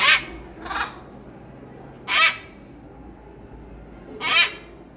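Harlequin macaw giving four harsh, raspy squawks, each a fraction of a second long, spaced irregularly over a few seconds against a quiet room background.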